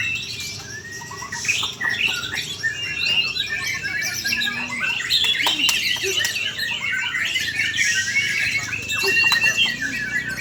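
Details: Indonesian white-rumped shama in captivity singing a long, unbroken medley of bright chirps, quick whistles and buzzy trills, high-pitched and intense throughout, with scattered sharp clicks.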